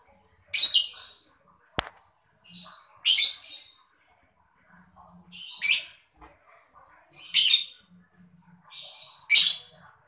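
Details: Mocca lovebird chirping meant to spur other birds into song: rough, screechy chirps roughly every two seconds with softer twitters between, plus a single sharp click.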